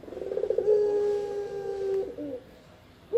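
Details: Spotted dove as a lure and training master sound: a quick run of soft pulses leading into one long, even, low coo, then a short drop-off note and a fresh start.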